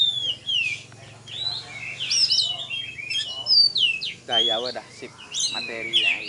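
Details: Champion oriental magpie-robin at a songbird contest in Tebas, heard after being hung up for judging: bright whistled slurs and rising-falling high notes in quick varied phrases, with human voices breaking in near the end.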